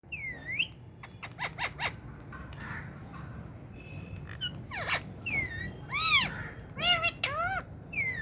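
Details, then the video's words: A pet ring-necked (rose-ringed) talking parakeet, with a newly acquired parrot, gives harsh, arching squawks and short chattering notes, about one every second, over a steady low background hum. "Green Talking parrot speaking with my new parrot"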